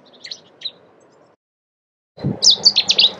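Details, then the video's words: Cetti's warbler in the UK: after a quiet stretch of faint chips, a sudden loud, explosive burst of sharp, high notes rattled off in quick succession. "Cetti's Warbler"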